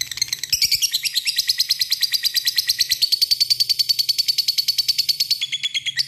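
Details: Lovebird ngekek, a long trill directed at a rival: after a few uneven opening notes, a dense, rapid high-pitched chatter runs steadily for about five seconds, ending on a slightly lower pitch.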